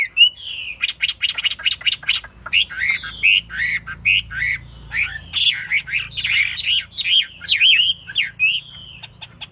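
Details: Continuous, vigorous song from a caged Chinese hwamei, said to sing eagerly and fight well: dense sequences of sharp chirps and wavering whistled phrases, rising and falling without pause for nearly ten seconds.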